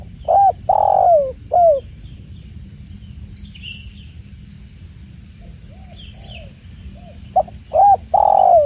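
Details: Spotted dove (tekukur) with flowing water: a loud cooing phrase ending in a long downward-sliding note opens, soft distant coos and brief high chirps from other birds follow, then the dove's phrase begins again over steady low watery rushing.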